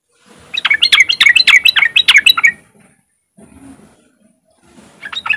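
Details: Sooty-headed bulbul giving riwik song to encourage other untrained bulbuls to sing: a quick rattle of bright chirps for two seconds, a quiet gap with a faint low sound, then the chirping resumes.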